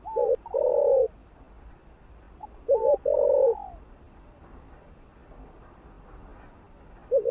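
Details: Spotted dove coo phrases meant to stimulate other doves. Two phrases about two and a half seconds apart, each a high slurred note over a short then a longer low coo. A third phrase begins at the end.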